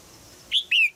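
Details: A female red-whiskered bulbul in a cage in Thailand calls to prompt a young male to sing, giving a clipped high chirp followed at once by a longer, falling whistled note.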